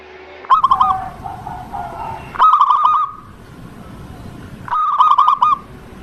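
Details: Local zebra dove singing to prompt other doves: three short bursts of fast, ringing, hooked notes, each lasting about a second, separated by quieter distant cooing over a rumbling, noisy background.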